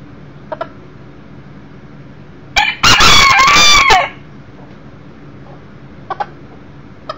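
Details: One-year-old Millefleur d'Uccle beta rooster visiting indoors, 7/6/13, near a broody hen and chicks: a few soft clucks, then a loud, harsh crow lasting about one and a half seconds, followed by more quiet clucks.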